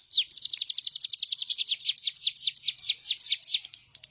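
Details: Bar-winged prinia singing in a master recording for training birds: a fast, even run of about twenty sharp, high downslurred notes over roughly three and a half seconds, the later notes slower and longer, on a quiet background.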